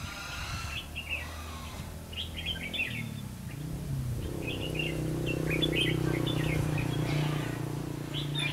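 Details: Trapping red-whiskered bulbuls, 5 November 2016: repeated quick warbled phrases of chirpy notes throughout, while a steady low droning hum rises and persists from midway on.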